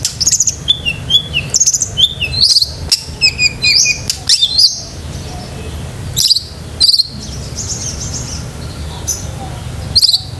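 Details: Long-tailed shrike song used to train pet shrikes: high whistled phrases and buzzy, slurred notes, dense at first, then spaced into separate bursts, over a low rumbling background.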